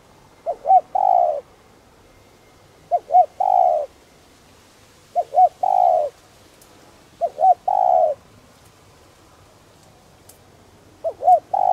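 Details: Spotted dove used as a calling decoy to provoke wild birds, with a 'đồng' voice style. Five repeated phrases about every two seconds: a quick pair of short notes leading into a long, sustained coo.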